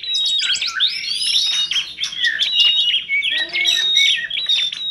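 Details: Bright, fluty birdsong from a compilation of oriental magpie-robin, tledekan gunung and prinia, with gliding high whistles and quick chirped notes forming an unbroken, busy stream.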